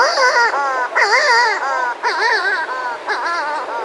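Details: Pair of Buller's shearwaters calling close up outside their burrow, other birds and surf around; rich, nasal wavering wails pulse in phrases roughly every second, rising and falling like a sobbing cry.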